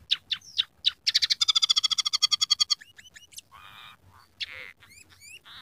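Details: Scaly-breasted munia singing a song mixed with canary, sparrow and red siskin phrases: opening sharp chirps, a fast harsh trill of evenly repeated notes, brief rising whistles, then buzzy rasping notes over faint background hum.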